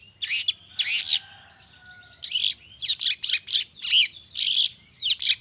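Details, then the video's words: Long-tailed shrike heard in the morning as a lure to get other shrikes singing; dense scratchy, grating phrases packed closely together, with brief whistled glides woven between bursts. "suara pancingan cendet cendet di pagi hari YANG BIKIN CENDET MACET sekalipun IKUTAN BUNYI toet toet"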